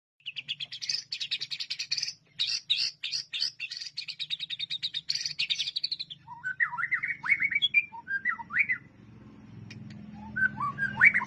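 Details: White-rumped shama song used as a masteran training recording: rapid buzzy chattering notes for six seconds, then clear whistled phrases that slide up and down, with low hum underneath.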